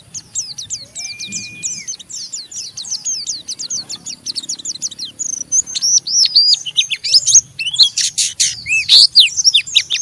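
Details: Harsh ngeriwik chattering by an Oriental white-eye, meant to draw a rival into singing: a long fast string of high scratchy downslurs, building into louder, denser twittering with sharp clicks near the end.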